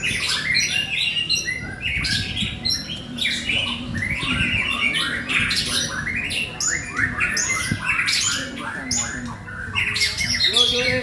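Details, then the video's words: White-rumped shama singing a long, busy medley of rapid rising whistles, chirps and harsh chatter, phrases following one another almost without break, with a faint low background hum. "murai mandala"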